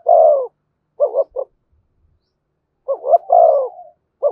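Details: Spotted dove singing "giọng thổ" with "thúc" and "kèm". A long deep coo, then a pair of short notes plus a third after a pause. After a silent gap comes a full phrase of two short notes and an extended coo.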